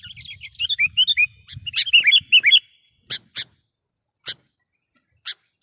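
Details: Sooty-headed bulbul (Pycnonotus aurigaster) lure call: a quick run of bubbly, liquid chirps, then single sharp notes about a second apart over a faint low rumble; used to attract bulbuls, as a tutor song, and to prompt quiet bulbuls to sing.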